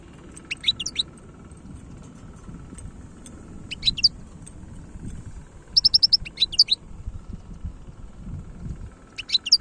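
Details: European goldfinch from Algeria singing the khalawi style of song: repeated short bursts of bright, tinkling, high twittering notes, including a rapid run of clipped chips, against a low background rumble.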